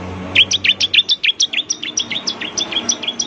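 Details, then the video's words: Bar-winged prinia lure song: a rapid, even string of clipped high chirps, about three per second, with a low hum in the background. "pancingan suara ciblek semi gacor"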